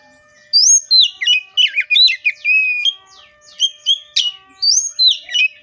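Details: Oriental magpie-robin (Copsychus saularis) pouring out a rapid, varied run of loud whistles, chirps and downslurred notes with brief pauses, over faint steady background tones.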